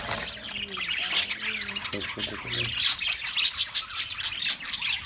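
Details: Budgies giving a busy stream of buzzy, scratchy high warbling, rising into louder squawks toward the end, with a few low tonal notes early on.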